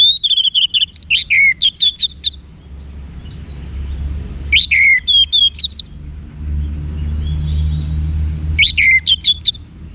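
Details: Orange-headed thrush (anis merah), caged in northern Bali, singing repeated bursts of fast, sharp whistled notes that open with a sweeping slur, about every four seconds, separated by quiet gaps with low rumble.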